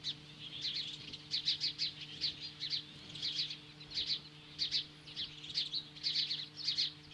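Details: Osprey standing off magpies at the nest, Lolo, Montana, mid-morning in July 2015: continuous clusters of sharp, high-pitched whistled chirps, two to four at a time, repeated steadily with little silence between them.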